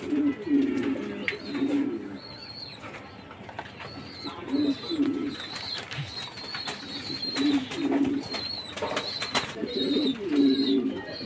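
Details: Jacobin pigeon cooing: low, rolling bursts of coos come roughly every two to three seconds, five in all, while thin high chirps from other birds sound throughout in the background.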